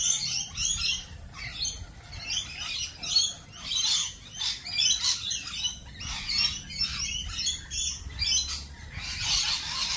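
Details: Many lorikeets calling at once produce continuous shrill squawks and rasping chatter, with short loud bursts scattered across the clip.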